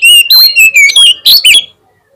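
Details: Oriental magpie-robin singing to provoke a rival into quick response, a loud rapid run of clear whistles and buzzy trills, notes sliding up and down in close succession for under two seconds.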